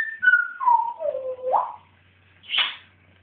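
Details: Pet African grey parrot, excited, indoors. A clear whistle steps down in pitch, swoops back up, and then a short harsh squawk follows after a brief pause.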